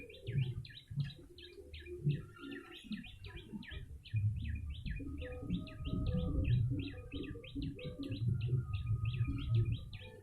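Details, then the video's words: Yellow-bellied prinia calling, in a recording used to lure birds: a rapid run of short, high, sharp chirps, about four a second, continuing for ten seconds over a low rumble of background noise. "Pikat burung prenjak lumut"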